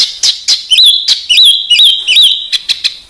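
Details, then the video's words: Contest-bird training recording from Indonesia, packed with rapid fill phrases favoured by judges; clear rising whistled slurs repeated about every half second, interleaved with sharp high clicks. "BURUNG MASTERAN FULL ISIAN UNTUK BURUNG LOMBA"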